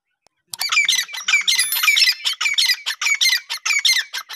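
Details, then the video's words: A female grey francolin (teetar) calls in loud, harsh, grating phrases, repeated rapidly in an uneven series of squawking notes, with no other sounds. "female teetar awaz"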